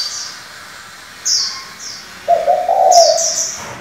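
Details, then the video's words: Spotted dove used as a decoy, calling in varied voices to train young doves; a single low, rough coo of about one second comes after high, thin chirps from other small birds. "Cu gáy đảo giọng liên tục, kích bổi hay, luyện CU non chuẩn!"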